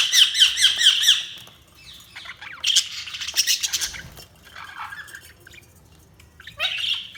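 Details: Budgerigar chirping opens with a quick run of repeated high warbled notes, followed by scratchy chatter, a quieter pause and a final short squawky burst.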